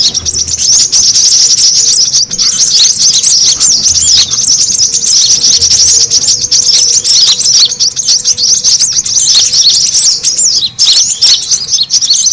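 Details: Brown-throated sunbird lure call used to draw birds in: a dense, continuous high chatter of rapid twittering notes, unbroken for the whole stretch, like many sunbirds calling at once.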